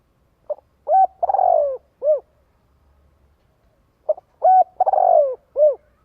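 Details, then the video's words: Spotted dove calling to gather other doves. It gives two complete phrases about three and a half seconds apart, each a quick low note, a level coo, a vibrating downward-sliding roll and a soft arched final coo. "Tiếng chim cu gáy kích bổi gọi bầy hiệu quả."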